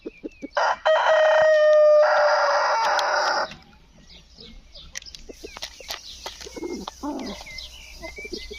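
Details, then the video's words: Crowing rooster, said to talk: a strong, sustained harmonic crow lasting nearly three seconds opens the recording, followed by softer scattered clucks and faint high chirps. "PIJETAO KOJI PRIČA"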